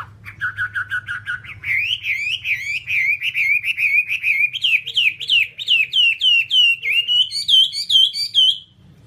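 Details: Whambie master song for training caged birds. After brief low whistles comes a long, lively run of looping whistled phrases, repeated about twice a second and climbing gradually higher toward the end.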